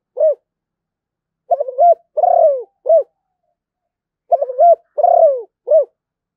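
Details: Zebra dove singing two full phrases about three seconds apart, each a stuttered run of low coos, a long rolling trilled coo that falls away, then a short closing coo; a quiet background otherwise.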